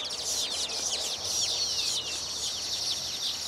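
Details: A colony of baya weavers at their newly built nests, courting females with wing-fluttering display, gives constant, dense chatter: many overlapping high, wheezy chirps and sweeping squeaks with no pauses.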